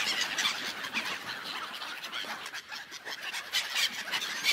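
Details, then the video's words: Many seagulls on an icy lake keep up a rough, clamorous calling, short squawks piling over one another, rising slightly in strength toward the end. "ASMR Seagulls sounds on ice lake"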